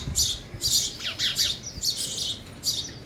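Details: Harsh, squawky chirps from sparrows eating at a feeder, about five bursts in three seconds, some with quick down-slurred notes, recorded close with little background.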